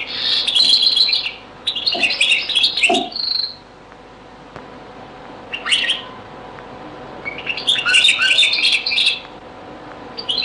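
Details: Very old recording of a European goldfinch singing Beni Messous 'les avocats' (zaboka) style: twittering bursts with tinkling notes, pauses between, and a final long twittered phrase.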